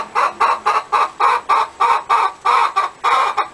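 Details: Hen cackling in a rapid run of short, clipped clucks, about a dozen evenly spaced notes in under four seconds, each a dry, mid-pitched burst.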